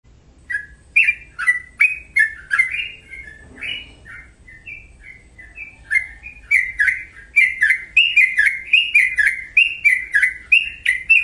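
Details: Sooty-headed bulbul singing: a rapid series of short, bubbly, slurred notes, two to three per second with a clicking edge, continuing with a brief lull near four seconds, then resuming louder.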